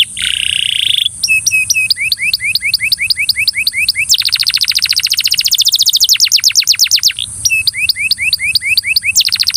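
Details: Belgian canary song meant to coax a companion canary to sing: opens with a brief buzzy note, then quick repeated hooked chirps give way to a dense rapid rolling trill and more hooked phrases, over a constant thin high-pitched hiss.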